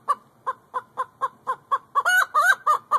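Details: Domestic hen clucking: a steady series of short, low clucks about every quarter second, ending in a few louder, drawn-out nasal squawking notes.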